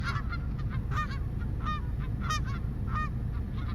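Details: Geese calling together, a flock of overlapping nasal honks rising and falling, several calls per second, over steady low rumbling background noise.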